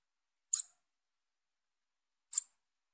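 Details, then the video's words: Two isolated high, thin chips from a calling young female Bananaquit, nearly two seconds apart, each brief and sharp, with silence around them. "FÊMEA DE SIBITE NOVINHA CHAMANDO"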